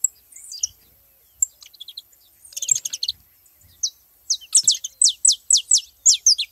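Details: Several saffron finches at a feeding spot: soft scattered chirps and a brief twittering burst, then a loud run of high, steeply falling notes repeated rapidly over the last two seconds.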